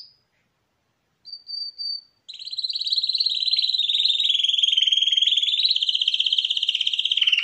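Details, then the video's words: Champion canary vocalizing, 2021: after silence and a few short high whistled notes comes a long continuous rolling trill, pulsing rapidly and gently wavering in pitch for five seconds. "KANERYA ŞAMPİYONU - Vokal 2021 / بطل الكناري - غناء 2021 / CHAMPION CANARI - Chant 2021"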